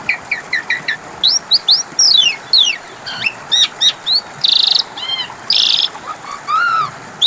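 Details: Asian pied starling lure song for a bird that stopped singing: rapid chattering chirps, sweeping upward whistles, two loud grating rasps and a low arched whistle near the end.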